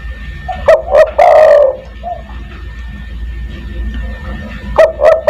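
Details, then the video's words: Lure recording of a spotted dove calling to draw in other doves, 'kuk 1' style: one full phrase of two quick coos and a long falling coo, then a quiet gap and the next phrase beginning. "burung DERKUKU tekukur master gacor kuk 1 sangat mewah untuk memanggil teman"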